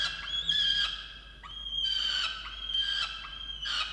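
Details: Wild peregrine falcon at a water-tower nest box in Orange, New South Wales, Australia, 8 November 2022, calling angrily at its mate for not bringing breakfast: drawn-out harsh, whining wails in several bursts with brief clicks between, high and strongly harmonic.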